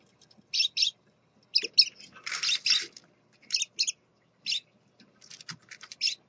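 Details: High chirping from a scarlet-chested parakeet dad and his babies: paired short tweets, a longer harsh buzzy note in between, then more scattered chirps.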